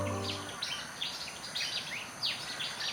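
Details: Pied Fantail, which uses many varied sounds to communicate, giving a busy series of high, thin chirps and quick downward-sweeping whistles, closely spaced and irregular, after a brief low musical tone at the start.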